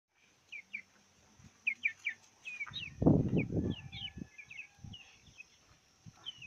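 Brahma chicks give high, thin peeps, short sliding notes repeated several times a second, over low thumps and rustling from close handling.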